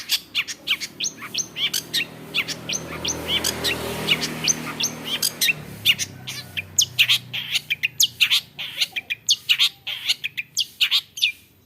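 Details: Long-tailed shrike (cendet), a clever bird able to imitate many other birds' voices, delivering a dense run of sharp high chirps and clicks, rapid and varied, with a low hum underneath in the middle.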